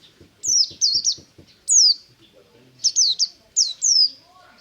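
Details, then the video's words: White-eye (buxtomi type) singing ngalas-style in the morning: bursts of high, sharp whistled notes sliding downward, grouped in twos and threes with short pauses; faint low clicking pulses at the start. "BURUNG PLECI NGALAS DI PAGI HARI"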